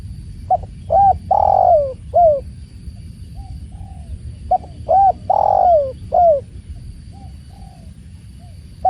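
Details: Tekukur, or spotted dove, beside the sound of water, giving two soft cooing phrases about four seconds apart. Each has a quick pick-up note, a rounded coo, a long sliding croo and a short ending, over a low murmur.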